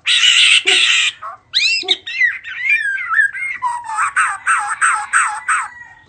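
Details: Head-shaking bird singing in greeting, opening with two loud broadband rasps, then a run of swooping whistled slurs that settle into rapid repeated rising notes, about three per second.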